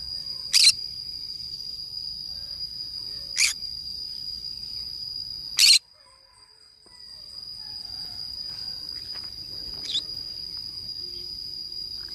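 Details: Green-cheeked conure parrot alone in a forest: three loud, short rasping squawks a few seconds apart, then a quieter one, against a continuous thin whine.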